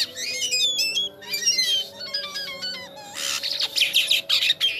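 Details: Jalak kapas starling singing energetically, mixing rapid stepped whistled notes with bursts of harsh, scratchy chatter and squawks; a low steady hum runs throughout.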